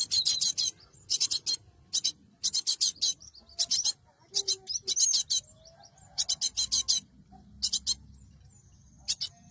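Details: Cinereous tit trapping lure: steady series of raspy, buzzing high notes in short bursts roughly every half second, with faint soft chirps in the quieter gaps.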